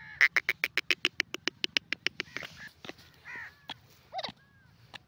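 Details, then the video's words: Grey francolin calling: a rapid run of sharp, harsh clicking notes, about seventeen in two seconds, followed by scattered rasping and rising whistled notes with faint background hum. "the best teetar ki awaaz gora teeter k sounds"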